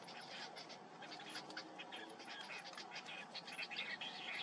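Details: Harsh, rasping chatter from a Cinnamon bittern (Ixobrychus cinnamomeus) chick during feeding by its parent, in rapid irregular bursts of roughly two per second, growing slightly louder toward the end.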